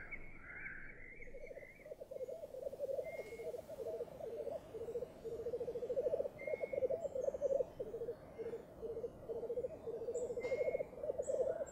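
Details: Black grouse lek on a bog at dawn, early in the season. Several males keep up a steady, low, dove-like bubbling that overlaps without a break, and short, higher whistled notes from other birds cut in now and then.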